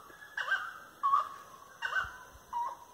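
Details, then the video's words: Grey-cowled Wood Rail ("Três Potes") giving a firm song of loud, nasal, mid-pitched hooting notes in four bursts, about one every half second to second, heard along tree-lined paths on 25/03/2022 at 18:30. "Canto da Saracura 'Três Potes'"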